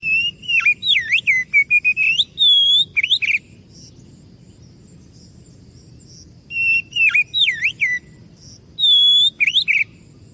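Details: Oriental magpie-robin song played as a lure to make other birds answer: loud, clear whistled phrases with rising and falling slurs and sharp notes, given in two bursts separated by several seconds of quiet background hiss.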